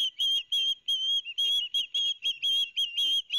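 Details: Two young ospreys at a nest on a live cam, Barnegat Light, New Jersey, 13 September 2021, calling noisily as their father delivers fish: rapid series of shrill, high whistled notes, about two per second, slightly rising and falling, loud and insistent.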